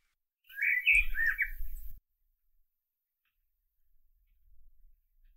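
A single short, fluty common blackbird phrase, mellow and warbling in the middle range, lasting about a second and a half, over a low rumble of wind.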